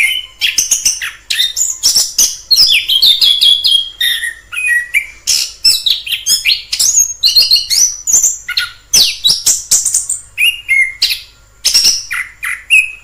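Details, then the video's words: Long stretch of orange-headed thrush song in the wild: dense, varied phrases of whistles, trills, squeaks and harsh notes in quick succession, loud and close. "Suara asli anis kembang di alam liar"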